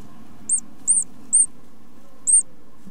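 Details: Great tits at the nest while the parents feed their chicks: four very high, thin arched squeaks, spaced irregularly over about three seconds, above a low background rumble.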